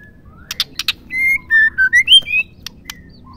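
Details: Female white-rumped shama, a call used to trigger male song; three dry clicks precede a sequence of sustained clear whistles, the middle notes dipping lower before the last ones rise, then a few faint ticks.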